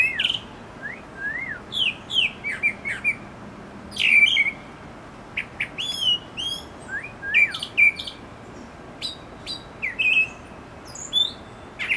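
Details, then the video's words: A brown thrasher singing in a mango tree gives a lively run of varied whistles, chirps and slurred notes in short bursts, some phrases repeated, against a quiet background. "Brown Thrasher"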